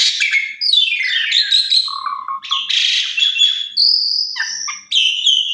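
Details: Energetic Asian pied starling song with full fill phrases, played to prompt other starlings to sing: falling slurred whistles, low rattling chatter, a harsh buzzy burst and a long steady high whistle, then quick chipping notes.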